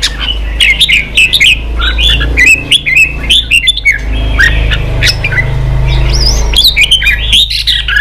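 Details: Energetic red-whiskered bulbul song meant to fire up caught birds for fighting: rapid chains of clear whistled and chattering notes, some rising sharply, over a loud low rumbling hum.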